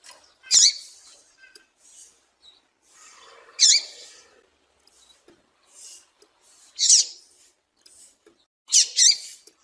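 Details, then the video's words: Female double-collared seedeater calling to excite males: high, thin squeaky chips at irregular intervals, the last two close together, with faint soft notes between. "Piado de Fêmea de Papa capim para foguear e Esquentar Papacapim"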